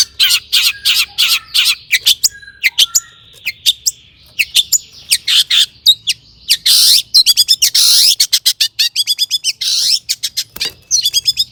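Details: Long-tailed shrike in full song, used as a lure to excite other shrikes into singing; a rapid jumble of sharp high chirps and clicks, a drawn whistle near the second mark, then dense buzzy bursts and fast trills.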